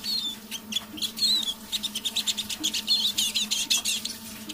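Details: Eurasian siskin kept as a decoy bird, singing quietly at evening; a dense run of fast chattering notes and short buzzy trills, strongest toward the end, with a low constant hum behind.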